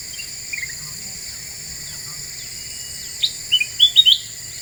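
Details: Lure song of a black-winged bulbul said to stir up other birds: quiet chirps early on, then a quick burst of loud, bright whistled notes near the end, over a steady high insect buzz.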